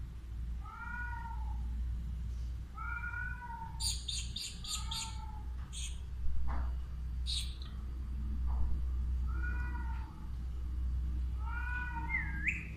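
An Alexandrine parakeet gives tonal, arching, meow-like calls about every two seconds. Thin, high squeaks come between them over a steady low hum.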